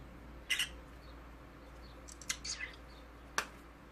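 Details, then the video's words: Cute noises from a conure parrot: a rough doubled squawk, then a cluster of short scratchy chirps and one sharp click-like squawk, all against a soft constant background hum. "Conure parrot making cute noises"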